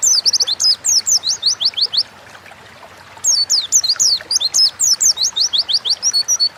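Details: Oriental white-eye (pleci) singing vigorous 'gacor ngalas' phrases meant to spur other birds into song: long, fast strings of thin downslurred notes, a one-second break, then another extended rapid run.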